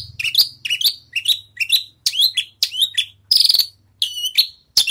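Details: Post-moult Javan bush lark practising song, delivering repeated high, ringing chirps with a slight downward slur, around nine phrases in five seconds over a faint low hum.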